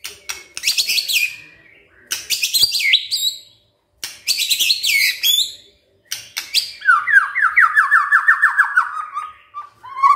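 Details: Shama song played in the morning to stir silent shamas into replying: loud bursts of varied, chattering and whistled phrases, ending in a long accelerating series of descending notes that slowly drop in pitch.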